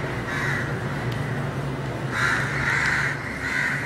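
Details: House crow, subspecies protegatus, in Colombo, Sri Lanka, on 28 Feb 2014, gives harsh, nasal caws, four or so in quick succession, with a steady low hum underneath.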